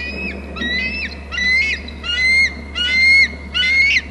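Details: Bald eagle screeching loudly at a nest and territory on Hornby Island as another eagle arrives: a series of high, thin, chattering squeals with falling slurred ends, repeated about every 0.7 seconds over a steady low hum.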